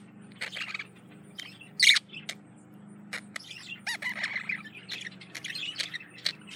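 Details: Quieter passage of a male budgerigar's courtship warble toward a female: scattered soft chirps and clicks, one sharp squeak near two seconds, then a murmured chattering stretch over a low hum.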